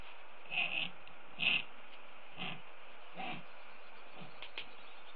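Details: California condor chick in the Devils Gate nest, Los Padres National Forest, near Hopper Mountain National Wildlife Refuge, being fed and preened by its mother; rough, low grunting bursts about once a second over a steady background hiss.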